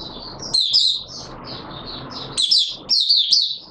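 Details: Oriental white-eye singing openly, 24 March 2022: bright high chirps and slurred twittering notes in bursts, with louder phrases near the end and faint room hiss between them.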